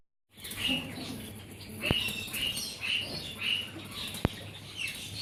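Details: Silver zebra finches, several birds, giving short soft nasal chirps repeated roughly every half second to second, with a couple of sharp clicks and low background hum.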